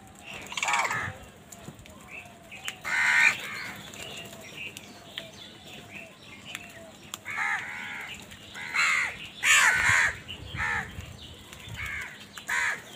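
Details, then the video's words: Crows heard in a village: scattered harsh caws come in irregular bursts over thirteen seconds against a low steady hum, with fainter calls between the louder ones. "crows sound in my village"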